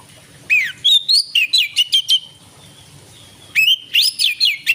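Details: Evening song of an Oriental magpie-robin, recorded 12 December 2022 and used to prompt other birds to sing: a run of clear whistled notes with upward and downward slurs, a brief gap, then a second similar phrase of bright whistles.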